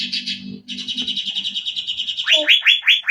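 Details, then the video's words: Asian fairy-bluebird in loud song: a fast, buzzy high trill running continuously over a low steady hum, then sharp rising whistled notes repeated in quick succession. "SAUTAN CUCAK BIRU YANG DAHSYAT"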